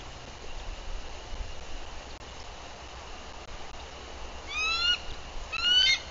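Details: Female bald eagle arriving at her nest in Bluff City, Tennessee, on 14 April 2023, giving alert vocals while on guard, recorded by a nest livecam; two short bursts of high, rising, ringing notes near the end over steady background hiss.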